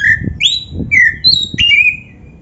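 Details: Oriental magpie-robin of the black-breasted form giving a rich training song: five loud whistled notes alternating between low flat tones and higher rising slurs, with soft low knocks underneath.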